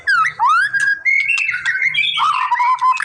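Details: White-rumped shama song played to stir a quiet bird into singing: clear rising and falling whistles, sliding upward slurs, then a long steady whistled note at the end, with a faint low hum underneath.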